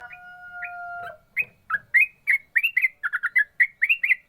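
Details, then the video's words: Yellow-vented bulbul singing in the rapid 'ropel' style: a long steady whistled tone, then a quick run of bright, warbling chirps rising and falling, packed closely together. "burung trucukan ropel mantap"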